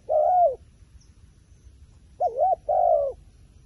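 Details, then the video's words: A wary wild pigeon gives mid-pitched coos. A single long, steady coo is followed after a pause by a short wavering note and another long drawn-out coo. Low background rumble. "ប៉ះហើយលលកព្រៃបណ្ឌិត ធ្នាក់ធ្វើដាច់ខ្យល់"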